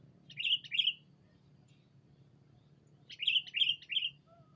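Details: Sooty-headed bulbul lure call for attracting a rival. A pair of quick chirps, a pause of about two seconds, then three more rapid chirps, over a low background hum.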